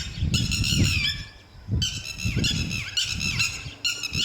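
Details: Lapwing, a parent guarding its young: about four bursts of piercing, harsh calling, each a fast stutter of notes sliding downward, over a heavy low rumble.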